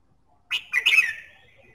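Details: Red-whiskered bulbul song used to stimulate singing: a single short burst of bright, slurred whistled notes, rising then falling, ending in a thin trailing tone, over near silence.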